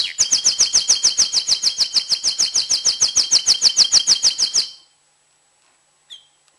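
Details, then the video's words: A tamed male canary sings in an excited state to prepare females for breeding, with a strong, very regular trill of about thirty rapid notes, then silence and one short chirp. "تغريد كناري هائج نار لتجهيز الانات"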